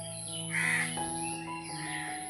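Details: A crow, one of several making loud, harsh noise in the trees, gives a single rasping caw lasting under half a second over a steady background of sustained tones that may be music.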